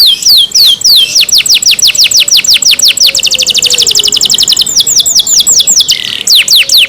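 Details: Canary tended by its keepers, delivering a long unbroken run of rapid downslurred chirps, several per second, with a faint low steady tone in the background.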